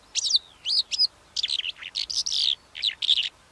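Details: Calandra lark song: quick sequence of sharp high chirps, downslurred whistles and buzzy notes with short pauses, lively and varied.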